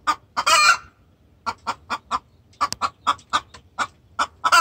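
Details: Vocal hen giving distress calls toward the rooster: a loud harsh squawk, then a rapid series of sharp clucks, and another squawk at the end.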